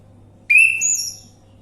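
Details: Orange-headed thrush lure recording meant to prompt a bird to sing: one loud whistled note that jumps to a higher tone, then fades out, with a faint low hum behind.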